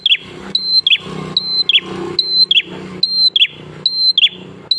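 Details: Energetic prinia song used to lure other prinias into singing. Piercing steady whistles, each paired with two fast falling chirps, recur roughly every 0.8 seconds against a noticeable low, muffled indoor-sounding background hum.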